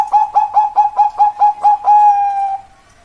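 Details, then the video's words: Zebra dove song, a rapid run of seven short, clipped coos that ends in one longer, drawn-out note held for over half a second before fading into silence. "suara burung perkutut"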